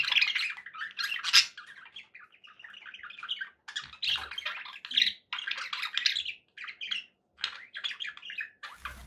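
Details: Happy budgies warble continuously, mixing buzzy chatter, short squeaks and scratchy trills in long phrases broken by brief gaps, with a low thump at the end.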